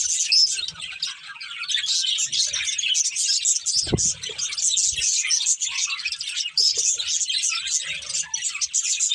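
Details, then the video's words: A breeding pair of budgerigars chattering: a continuous stream of high chirps and scratchy warbles, one sharp knock around the middle. "Beautiful Budgies Chirping Sounds | Love Birds Breeding Pair"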